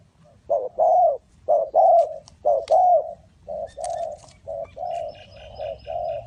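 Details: Spotted dove at a bird trap in Ninh Thuận. Strong coo phrases of a clipped note plus a longer hoot repeat steadily, then grow softer toward the end. Faint clicks and chirps are in the background.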